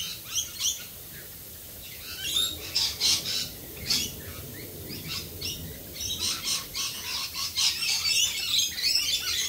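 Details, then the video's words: Australian rainbow lorikeets calling in the rain: dense, harsh, screechy squawks and chirps in overlapping bursts, several birds at once, over a steady hiss of rainfall. "Australian Rainbow Lorikeets Singing in the rain."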